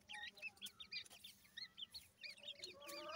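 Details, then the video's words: Grey francolin chicks (dakhni teetar) making what is described as baby talk: faint, thin, high chirps with slurred rising and falling notes, repeated irregularly in quick bursts over a low background hum. "grey francolin cute baby talk,dakhni teetar checks voice"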